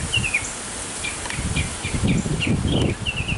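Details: Male mockingbird singing in a backyard to attract a female: short slurred chirps repeated in quick succession over a noisy, rumbling background, with a clear falling phrase at start and end.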